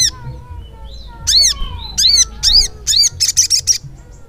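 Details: Ruby-cheeked sunbird, the sogok ontong, in gacor ngleper song. Thin whistles lead into four loud, arched, sweeping chirps and a short buzzy rattle.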